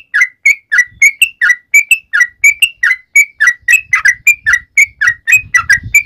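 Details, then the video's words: Sooty-headed bulbul calling companions, giving a brisk repeated sequence of short whistled notes and lower slurred chirps, about four per second, with a soft low rumble growing toward the end. "trucukan gacor MEMANGGIL TEMANNYA"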